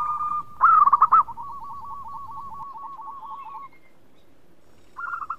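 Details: Local Indonesian zebra dove in vigorous song: one loud, warbling, trilled coo followed by a long even run of quick repeated soft notes that fades out. A fresh cooing phrase starts near the end over faint low background rumble.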